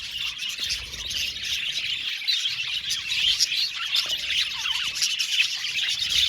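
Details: Many budgerigars in an aviary colony chatter at once in an unbroken, high-pitched stream of twittering and squeaky chirps, growing busier and louder toward the end.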